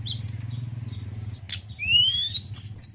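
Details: Song of a male White-browed Shortwing: soft high notes, a sudden sharp burst, then a long rising whistled slur and thin high whistles, over a low droning hum.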